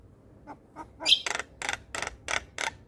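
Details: Javan myna in vigorous song, played as therapy for mynas that have stopped singing or are stressed: two soft clicks, then six harsh, raspy, broadband notes repeated about every third of a second.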